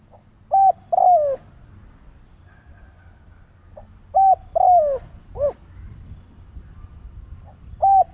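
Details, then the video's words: Decoy spotted dove calling to provoke wild doves for trapping: two three-note cooing phrases, a short level coo, a longer falling coo and a clipped arched note, about four seconds apart, over a faint steady hum. "Tiếng Chim cu Mồi gáy gọi - Chim cu gáy kích bổi nhanh nổi hiệu quả"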